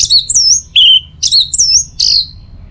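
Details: Loud, clear sliding whistles and swooping high notes from an orange-headed thrush, a few phrases in quick succession; teler song recorded as tutoring and trigger material.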